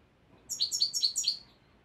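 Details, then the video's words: A first-year goldfinch practising song copied from a tape delivers four paired, sharp, high twittering notes in an even rhythm within about a second, against a quiet background. "مقنين ولد العام في مرحلة تفريز الكلام على الشريط"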